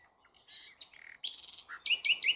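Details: Common nightingale song fragment: a soft whistled note, then a buzzy churring burst and three quick, loud, rising chirps at the end.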